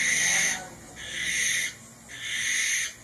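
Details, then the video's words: Two drawn-out, rasping hiss-like screams from a barn owl (Tyto alba), the first loud and harsh, the second slightly longer, with a short silent gap between. "Barn Owl call"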